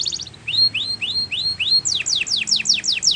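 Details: Belgian canary singing as a tutor song for young canaries: a quick high trill, then a series of rising whistled slurs about three per second, shifting into faster, higher descending swept notes, over low background hiss.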